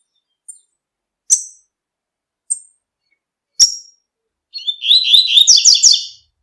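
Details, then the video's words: In nature, a double-collared seedeater gives four sharp, spaced high chips, then breaks into a fast tui tui song phrase of slurred whistles and rapid twittering. "COLEIRO TUI TUI CANTANDO NA NATUREZA"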